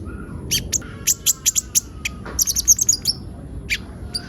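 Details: Olive-backed sunbird in active song meant to draw other birds into singing; bright, piercing chirps in short runs, with a few long thin whistles over faint lower trills.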